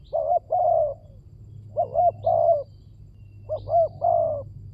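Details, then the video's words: ['Spotted dove calling as a lure: three soft, hollow coo phrases about a second and a half apart, each with a brief lead note and a drawn-out ending, with a low hum behind.'] "Pancingan burung tekukur"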